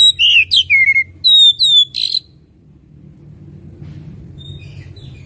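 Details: Oriental magpie-robin singing actively: a quick run of bright whistled notes, a downward slur and a steady high whistle, during the first two seconds, then near silence with a low hum and faint distant chirps.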